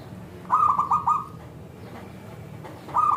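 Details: Zebra dove lure call to make other zebra doves reply; one rolling series of four coos, a pause, then another coo beginning, over faint background noise.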